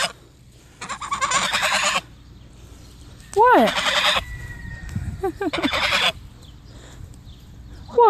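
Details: A pair of Sebastopol geese protecting their owner from her dogs give several harsh, raspy honk bursts mixed with short rising-falling nasal notes, while a woman speaks and laughs nearby.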